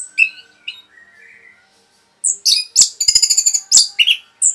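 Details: Rapid song of an orange-headed thrush, used to excite rival birds: faint thin chirps and a soft warble, then loud shrill bursts and a fast trill of high ringing notes.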